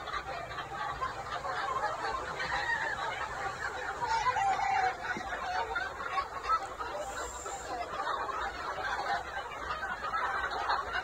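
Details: Noi, bantam and crossbred chickens raised free-range in a spacious yard during the day; a busy chorus of clucks and cackles with a rooster-like drawn call near the middle, steady and continuous over outdoor background noise.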